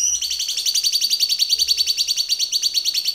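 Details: White-rumped shama training song: one continuous high, rapid pulsing trill, each note slightly rising, sustained throughout without a break.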